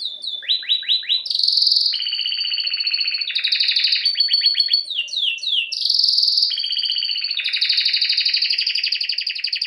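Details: Canary, Serinus canaria, singing a training song: quick downward sweeps repeated four times, loud buzzy rolls, more descending sweeps, and sustained rich trills, continuous and high-pitched.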